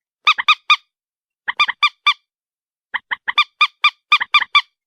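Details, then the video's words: Crisp, nasal honks from a white-breasted waterhen, grouped in rhythmic runs of three to six notes with roughly one-second gaps between groups. "morhen bird shound (ডু্ঃখোর পাখির ডাক)"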